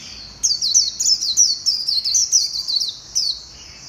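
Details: High, sweet, fast twittering from a white-eye, recorded 11/7/2021, as a nearly continuous string of quick sliding notes at about three per second, fading near the end.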